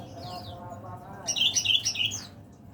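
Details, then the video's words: Caged leaf warbler that sings from morning until late afternoon and goes quiet at night unless the lamp stays on or the cage is uncovered. After a quiet start comes a loud burst of thin, very high twittering notes, with faint voices underneath. "burung pare-pare / cikrak daun gacor"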